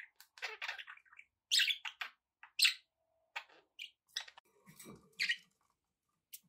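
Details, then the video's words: Pet budgies give scattered short chirps and squeaky notes separated by brief silences, some louder sharp calls in the middle. "relaxing budgie sounds for your birds"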